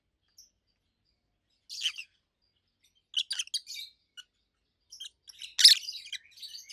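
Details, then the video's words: Two adult rosy-faced lovebirds kept as pets, opaline colour mutations, give scattered high, grating chirps in clusters separated by silences, the loudest burst near the end. "Rosy-faced Lovebirds Call Sounds"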